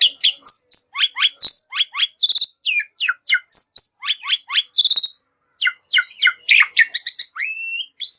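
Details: Lure song of the Black-winged myna for drawing other birds into singing: varied sharp chirps, downslurred whistles and short buzzy bursts in a lively continuous stream, ending in a long rising whistle.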